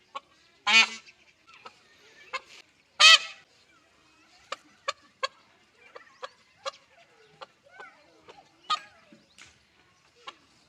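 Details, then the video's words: Indian peafowl, a peahen looking for a peacock: two loud, harsh, nasal honks early on, then quieter scattered clicks, taps and brief chirps for the rest of the recording. "Sound of peahen round of peahen search of peacock"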